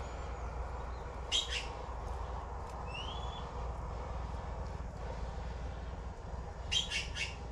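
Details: Blue magpie chicks waiting for food, with harsh clustered squawks at the start and end, a thin rising whistle from another bird in between, and a continuous low rumbling background.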